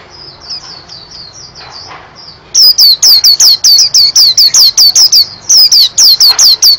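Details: White-eye song opening with soft, thin, wavering twitters, then switching to a rapid, loud string of bright, high, downslurred chirps repeated over two per second, briefly pausing before resuming.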